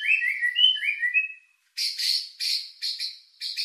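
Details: White-rumped shama lure song aimed at stirring emotion and breeding drive: rich looping whistled phrases, then after a short gap harsh buzzy notes repeated about twice a second.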